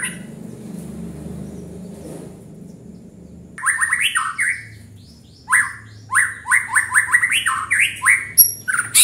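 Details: White-rumped shama singing energetically after a quiet start with a low hum: fast rising whistled notes in quick bursts mixed with high sharp clicks.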